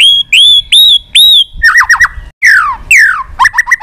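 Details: Wild-type white-rumped shama in full contest form, rapidly wagging its tail while singing many varied phrases: clear whistled notes with sharp upward flicks, then a fast run of falling slurred whistles and crisp chips.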